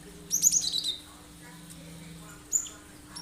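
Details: Cinereous tit giving sharp 'shot' notes, meant to prompt other birds to sing and mimic it; a short burst of five or six high, clipped notes, then a pause and one lone sharp note.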